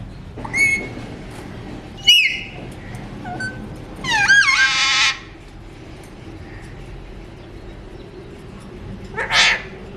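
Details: Non-stop talking Alexandrine parakeet giving short rising whistles, a brief flat note, then a loud rasping speech-like phrase of about a second, a pause, and one last harsh squawk near the end.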